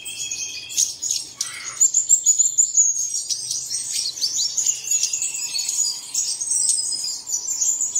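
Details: Birdsong used as early-morning playback to get caged birds singing: dense, high-pitched twittering and chattering from several voices, with quick trills and sliding whistles that overlap continuously.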